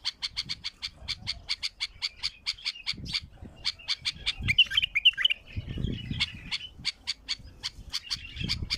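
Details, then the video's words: Wild bulbul in strong song: a fast, steady string of crisp high clicks, then a brief whistled flourish in the middle before the clicking series resumes, with low thumping noise underneath. "اقوى تغريد بلبل وحشي"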